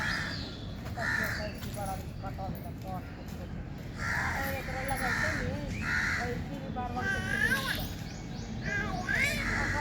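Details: Repeated raspy crow caws mixed with people talking nearby; the caws come in short bursts of two or three, overlapping chatter throughout.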